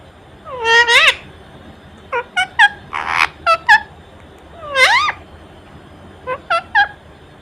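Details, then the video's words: Pet ring-necked parakeet spreading its wings in front of a mirror gives loud, harsh, rising squawks and short clipped speech-like syllables in irregular bursts. "Non-Stop Talking Parrot🦜 Talking To Everything"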